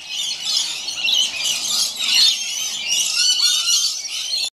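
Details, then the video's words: Two Scaly-breasted lorikeets in a gum tree, playing or maybe fighting, give a continuous run of harsh, high, shrill screeches and chattering squeals, calling at once with no pause. "Scaly Breasted Lorikeets Playing"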